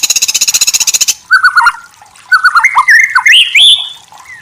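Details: White-rumped shama song used as a lure to make another shama answer at once. A fast buzzy pulsed burst opens, then varied clear whistles, some rising and some sliding, in short phrases.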